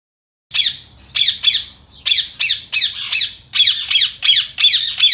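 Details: Indian ringneck parakeet during feed-time training calling in a fast series of harsh, high squawks, nearly three per second, loud and steady after a brief silence.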